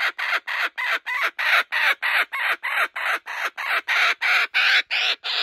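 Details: A male laughing kookaburra at a wildlife sanctuary, delighted after stealing a joey's toy, cackles in a rapid, evenly spaced string of harsh, rasping notes, about three a second.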